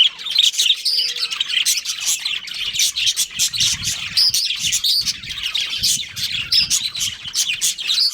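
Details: Pet budgerigar breeding pair chirping nonstop: rapid, overlapping squeaky tweets and clicks in a steady chatter, with faint low rumbling underneath.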